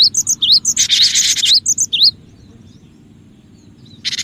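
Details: Cinereous tit, a lively singer, on a trapping lure track: bouncy whistled two-note phrases rising and dipping, with a harsh buzzy burst in the middle, then near silence before a final rasp.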